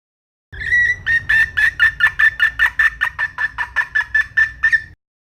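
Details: Wild red junglefowl hen: a brief drawn note opens a steady series of around eighteen clipped, even clucks, a little over two per second, with a soft low rumble behind.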